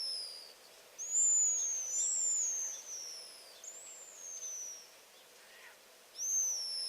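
Pigeon Guillemot screams: long, very high, thin whistles that slide slowly downward, several in a row, each drawn out over a second or more.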